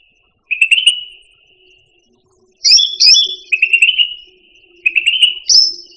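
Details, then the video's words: Buzzy rattling trills from a cucak rante pet songbird, interrupted by loud high slurred whistles and repeated in phrases about two seconds apart. "Suara Burung Cucak Rante"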